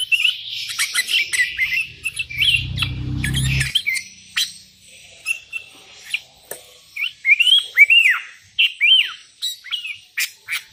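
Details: Sooty-headed bulbul calling out rivals while wild bulbuls reply; chirpy notes then, after a low rumbling thump, clear arched whistled phrases repeated at short intervals.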